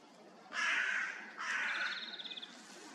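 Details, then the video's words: Hooded crow near a forest feeder early on the morning of 29 March 2023 gives two hoarse, drawn-out caws about a second apart, with a quick, high trill of another small bird under the second caw; greenfinches also present. "Голоса обыкновенных зеленушек, серой вороны."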